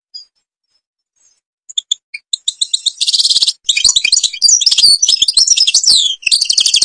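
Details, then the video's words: Algerian European goldfinch singing ghabat al-Babas tiberli song: opens with a few isolated high chips, then swells into dense, fast tinkling twitter and buzzy trills that run almost continuously to the end. "(canto jilguero argelia) تغريد غابة الباباس تيبرلي"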